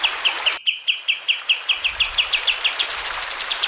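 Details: Sooty-headed bulbul, a clear tutor recording for training caged birds. Sharp, bright chirps repeat quickly, about four a second, and climb slightly higher near the end over a constant hiss of running water.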